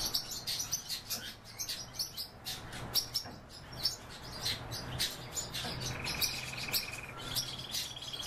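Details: A breeding pair of pine grosbeaks gives a steady run of short, high chirps, then two level, clear whistled notes near the end, each held about a second.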